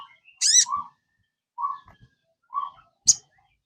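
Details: Sogon song used to coax a kept bird into singing: one harsh high burst, then soft mid-pitched whistled notes spaced about a second apart, closing with a single sharp chip.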